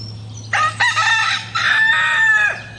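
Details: Rooster crowing in the morning: a loud, harsh, drawn-out crow in several strained segments over about two seconds, with a steady low hum underneath.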